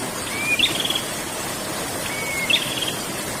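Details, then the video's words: Prinia (prenjak) singing continuously, in the style called ngerol: two phrases, each a short whistled note leading into a higher buzzy trill, about two seconds apart, over a steady rushing hiss like water. "burung prenjak ngerol"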